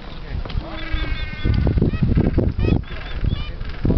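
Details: Gentoo penguins calling, loud harsh honking brays over a noisy low rumble, with several overlapping birds and thin high whistles above.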